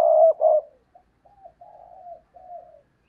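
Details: Caged decoy spotted dove cooing to stir up and lure wild doves; two loud, low, throaty coos open the phrase, then softer drawn-out, slightly falling coo notes trail off over about two seconds, with nothing else audible.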